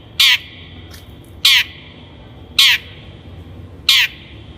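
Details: Long-tailed Shrike lure for training captive birds: four loud, grating, crow-like harsh calls, each short with rich overtones, spaced roughly every 1.2 seconds with quiet gaps between.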